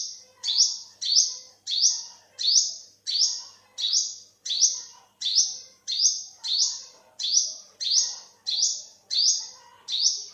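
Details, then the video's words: An olive-backed sunbird repeats a piercing, upward-flicking chip about sixteen times in ten seconds, a brisk, even rhythm. Each note is bright and fades quickly. Recorded in 2021, with faint lower bird twitter behind. "เสียงนกกินปลีอกเหลือง Olive-backed sunbird, Yellow-bellied sunbird"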